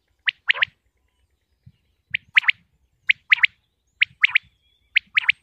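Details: Pakistani common quail calling: crisp three-note phrases, each note a short downward flick, given in regular groups about once per second with brief pauses between them, over faint low rustling.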